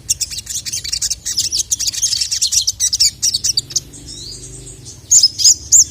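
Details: Training recording of a sogon, the Little Spiderhunter, calling a male while agitated. A rapid train of thin, high chirps at roughly three per second gives way to three loud, clear separate notes near the end.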